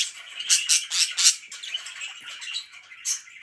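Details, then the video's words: Bright, high budgerigar chirps from pet birds, clusters of sharp squeaky notes around a second apart over a constant background of softer warbling chatter. "BIRDS ALWAYS CHIRPING"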